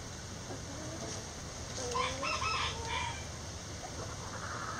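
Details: Backyard chickens in their coop: a few soft, tonal calls rise and fall around the middle of the recording over a steady hiss of background noise.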